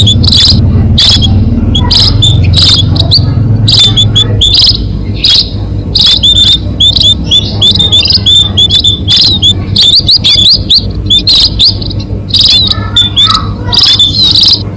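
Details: A long stretch of munia lure calling for catching birds: many overlapping high, thin chirps and sharp squeaky notes in a dense, nearly continuous chatter, with a low rumble fading early and a steady hum.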